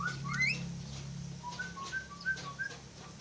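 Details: A pair of Javan mynas: a loud burst of rising whistled notes opens, followed by a run of short, level whistles repeated several times a second, with a low hum behind.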